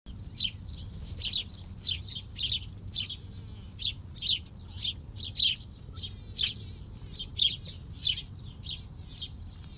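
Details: A thrasher gives harsh, chirping notes, about two a second, in a tense chest-bumping confrontation with a grackle; a low background rumble runs throughout.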